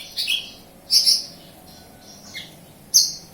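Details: Local Kediri, Java bush lark delivering a few isolated notes: sharp high chirps and a brief downslurred whistle, separated by gaps of nearly a second.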